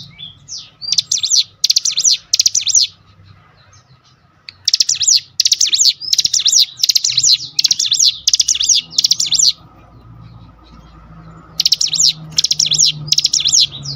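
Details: Cinereous tit singing as if provoked by a lure recording: three bursts of rapid, high, buzzy chattering notes, each lasting a second or more and separated by short pauses. A faint low hum sits underneath.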